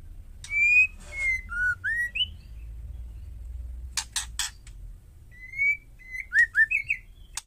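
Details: Female white-rumped shama calling to provoke males: slurred whistles rising and falling open the phrase, a burst of harsh clicking rattles follows, then a fast series of bright whistled notes, over a low background hum.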